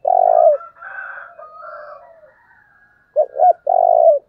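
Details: Spotted dove used as a decoy to stir up wild doves: a long throaty coo, softer answering coos with faint whistles, then a full phrase of two quick coos and a long falling one.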